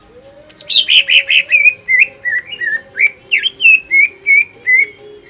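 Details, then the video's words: Greater green leafbird lure song, full hyper material meant to make a rival leafbird burst into song: a rapid run of bright whistled and chirped notes, about three per second, sliding around mid-high pitch, over a steady low hum. "PANCINGAN CUCAK IJO FULL MATERI HYPER BIKIN IJO LAWAN MUNTAH ISIAN"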